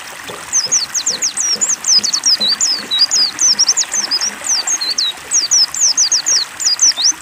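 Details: Caged white-eye (pleci) singing after water therapy meant to get a reluctant bird to sing: rapid, continuous run of high, thin, sharply sweeping chirps, several per second, over steady trickling water.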